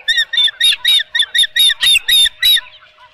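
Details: Osprey during a fish delivery at the Dunrovin Ranch nest, morning of 23 April 2018: about nine loud, harsh, squawky chirps in quick succession, slightly uneven in spacing, ending in quiet.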